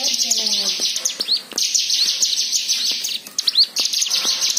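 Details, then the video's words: White-eye song for prompting other birds to sing: fast, high tinkling chatter broken by short gaps and rising whistles, with a brief lower trill at the start. "Pancingan Cigun Agar Bunyi"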